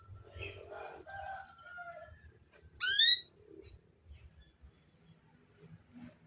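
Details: Soft warbled notes, then a single loud rising harmonic call from a female canary used to make the male sing, with light background noise.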